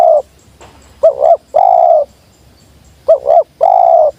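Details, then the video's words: Sweet 'jergot' call of a wild spotted dove coming down: two phrases, each a short warbling doubled note leading into a sustained low coo, about two seconds apart. "Burung liar nya turun langsung jergot manis"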